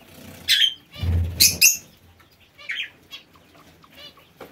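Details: Parakeets kept in an aviary utter harsh, grating squawks, two loud ones close together, amid heavy wing flapping and thumping, then quieter chatter.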